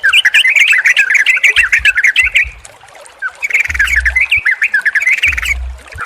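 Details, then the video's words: Yellow-vented Bulbul song, played to stimulate a non-singing or stressed bird: bursts of bubbly, chattering notes repeated rapidly in two phrases with a short pause between, alongside low thumping noises. "SUARA TRUCUKAN KOMBINASI YANG JITU UNTUK TERAPI TRUCUK MACET BUNYI DAN STRESS"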